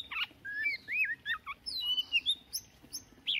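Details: Newly caught Oriental magpie-robin warming up its voice at dawn. Softer, drawn-out whistled slurs wander up and down, mixed with a few brief high chips.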